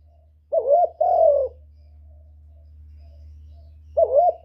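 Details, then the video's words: Spotted dove calling to stimulate other birds: a low two-part coo, a wavering note then a longer, slightly falling croon, with another wavering coo starting after a pause; a steady low hum runs underneath. "Cu Gáy Giọng Cực hay kích bổi hiệu quả nhất, terkukur"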